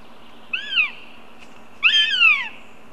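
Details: Northern goshawk hawklets, siblings (one male, two females) meeting at a Riga, Latvia nest site on July 2nd. Two loud, downslurred whining calls, the second longer and doubled, over a steady low hum.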